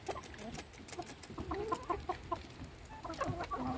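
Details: Chickens being fed by their owner: scattered short clucks and murmuring calls from several hens at once, with a faint steady tone and some background rustle.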